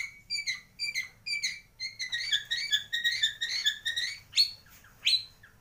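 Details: White-rumped shama, Bornean 'gembung' form from Kalimantan, Indonesia, with mimicry of swiftlet, fighting sparrow and lovebird: crisp chirping notes repeated rapidly in a steady series, building into a busy twittering passage, then two sharp rising notes.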